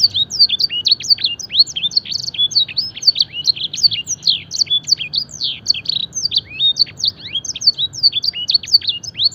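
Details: Fancy canary mimicking blackthroat and edel sanger song in a training recording: dense, unbroken string of sharp high chirps and quick downslurred notes, fast and evenly paced throughout.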